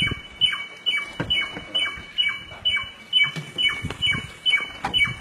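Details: Samyong singing in the forest: short high notes, each dropping in pitch, repeated rapidly a little over twice per second, with low knocking and rustling in the background.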